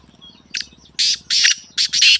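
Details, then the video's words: Black francolin kept as a pet producing a short sharp note, then four long, loud rasping bursts in a jerky rhythm, over a faint low rhythmic rumble. "Black Teetar Voice/Kalay Teetar Ki Awaz"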